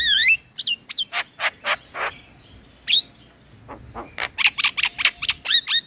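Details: Male black-winged starling song used to train other birds: a swooping whistle, then harsh rasping notes in a steady series, closing with quick chattering phrases.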